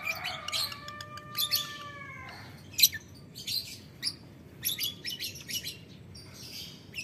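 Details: Ngetik ngekek calling from a lovebird answering a rival: clicky, raspy bursts and sharp ticks. A separate clear, level whistled tone runs steadily under the opening two seconds.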